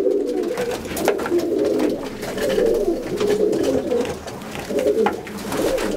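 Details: Fancy pigeons kept at a farm in Ranipet that holds over 100 pairs of more than 15 varieties: continuous low, rolling coos from several birds overlap indoors, with brief soft clatter in between.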